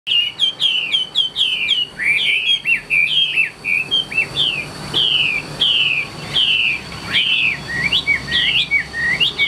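A Chinese hwamei sings a rich, nonstop run of loud, varied whistled phrases, slurred up and down and quickly repeated, over a faint steady high whine.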